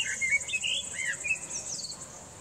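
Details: Wild songbird singing outdoors, filmed on Sony A6000 and Nikon P900: short whistled phrases with rising and falling slurs and a quick chirp, over a steady high insect-like buzz and soft background hiss.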